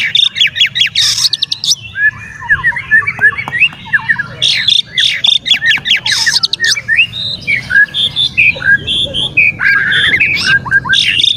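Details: Kacer, the Oriental magpie-robin, in full song meant to rile rival magpie-robins: a continuous stream of loud whistled slurs, harsh squawky notes and rapid chatters, closely packed across eleven seconds over a low background rumble.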